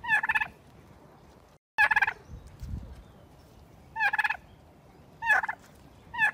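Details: A turkey gobbles four times, each a rapid, rattling burst of throaty notes lasting about half a second, with pauses of one to two seconds between.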